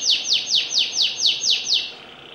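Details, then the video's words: Singing canary delivering a fast, even trill of eight high, downward-sweeping notes roughly four per second, bright and loud, fading into quiet at the end. "Kenari gacor cengkok enak"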